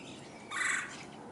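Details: A woodpecker (downy or red-bellied) hunting insects on a backyard willow tree in 2022 gives one harsh, raspy note of about a third of a second against a faint steady hiss.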